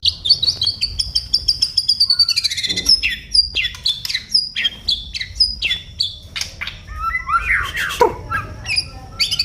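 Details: Oriental magpie-robin delivering a long sweet whistle followed by a lively string of sharp, clipped notes, downslurred chips and quick twittering phrases, each separated by short gaps.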